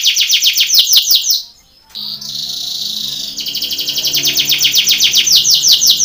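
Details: Contest training song of a Belgian canary: rapid series of sweeping trilled notes, a brief pause, a steady buzzy roll, then fast repeated notes again.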